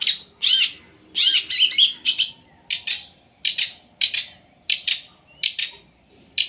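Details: A captive long-tailed shrike gives loud harsh rasping bursts, some paired, with a few whistled inflections, spaced roughly every half second.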